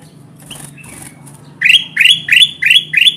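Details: Lively kutilang emas call used for trapping wild bulbuls: after faint chirps, five loud, clear upward-sweeping notes follow one another about every third of a second, with a low droning hum underneath.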